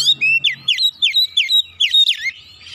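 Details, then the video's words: Oriental magpie-robin firing off a quick series of about ten clear, loud whistled notes, each sweeping sharply downward, evenly spaced around four per second. "kicauan kacer nembak nembak bongkar isian"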